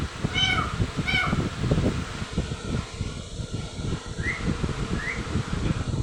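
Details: Young green parrot gives two harsh calls rich in harmonics in quick succession, then two short rising chirps a few seconds later. Loud low rumbling and handling noise run throughout.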